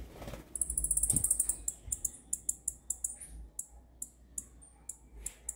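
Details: A blue-black grassquit sings a quick, very high, ringing trill, then sharp, thin notes repeated about three times a second. Soft low thumps sit beneath.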